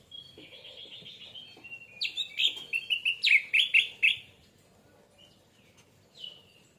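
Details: Orange-headed thrush singing as a lure to trigger other birds to sing: a soft, fast trill of high whistled notes, then a loud burst of varied, rapidly alternating whistled phrases, and a fading, thin whistle at the end.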